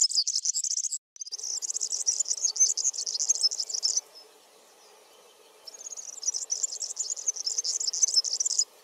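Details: Backyard European serin, feeding on Brassica oleracea seeds, delivers long high-pitched jangling twitter phrases broken by a brief pause, over a faint, steady low hum.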